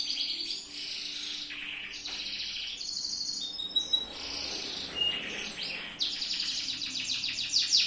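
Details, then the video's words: Canary of the yellow loper type singing a master song for training: long high trills alternating with rapid rattles and short whistles, continuous and energetic, a faint hum beneath. "MASTERAN BURUNG KENARI/LOPER/JOS"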